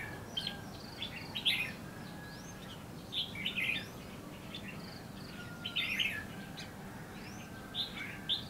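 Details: Decoy red-whiskered bulbul singing to lure wild birds into a bush trap at Lương Sơn, Hòa Bình, Vietnam. Brisk chattering phrases come every couple of seconds. Faint rising whistles from other birds and a steady background hiss run beneath.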